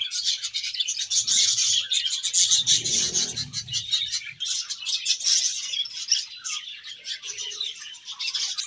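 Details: Many budgerigars in a colony chirp while feeding, a loud unbroken mass of rapid scratchy chirps and warbles, with a brief low thump partway through.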